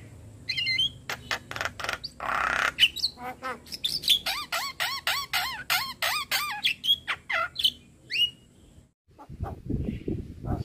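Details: Javan myna (jalak kebo) chatty master song full of fill phrases for training birds: harsh bursts and rasps, then a rhythmic sequence of short curving whistled notes, a few rising squeaks, a silent gap and a closing low rough noise.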